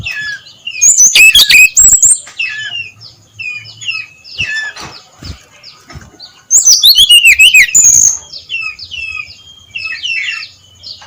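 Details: Dawn song of a brown-chested jungle flycatcher in the ngeplong style: two loud bursts of rapid, tumbling high whistles, each lasting about a second and a half. Soft slurred whistled notes come between them.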